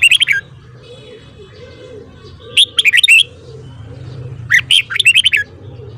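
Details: A red-whiskered bulbul sings in the morning, giving short bubbling phrases of sharp, slurred whistles, three bursts in six seconds, against a faint low hum.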